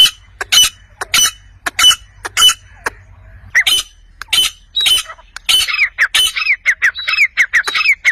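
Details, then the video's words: Wild chukar partridge (chakor) giving sharp, dry chuck notes that speed into a rapid chatter. The chatter ends in a run of short, rising, slurred calls repeated several times a second. "Jungali Chakor Ki Awaaz"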